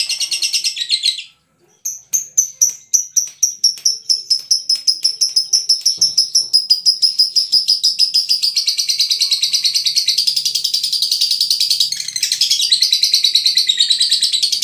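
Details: Veronica lovebird from Brebes giving a short chirp, a brief pause, then a long rolling song of quick repeated chips that speed up into a dense, buzzy chatter.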